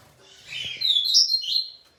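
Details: Double-collared seedeater calling in a mating-solicitation context, giving a run of high, thin chirps and short buzzy notes that rise and fall, briefly louder near the middle, with faint low thumps beneath.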